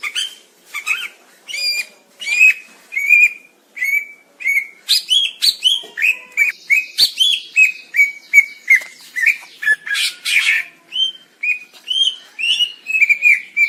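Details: Greater green leafbird in long continuous song, a rapid stream of short whistled and chipping notes repeated several times a second, varied and energetic, close and clear.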